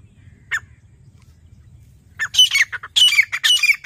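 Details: Grey francolin, known locally as teetar, calling in jungle: after a single early note, a run of loud harsh squawking notes comes in rapid bursts in the second half over a low background hum.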